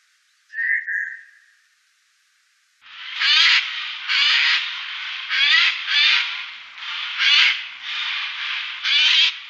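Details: Eurasian jay calling by day: one short clear whistle, then after a pause a run of seven harsh, rasping screeches, each under a second long and spaced about a second apart.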